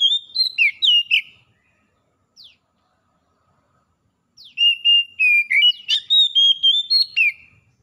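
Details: Oriental magpie-robins, wild and domestic birds answering each other: short bursts of clear whistled notes and slurred phrases, a pause of near silence, then a longer run of varied whistles and sharp downslurs.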